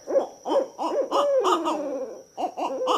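Two Barred Owls duet in a tumble of overlapping hoots, the male's higher, sharper notes over the female's lower hoo-hoo, one long call sliding downward; a faint steady whine behind.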